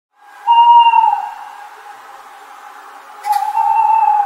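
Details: Screech owl calling at night; a clear, steady mid-pitched whistled note sags slightly in pitch and trails off softly, then a click, and the same tone returns after about three seconds.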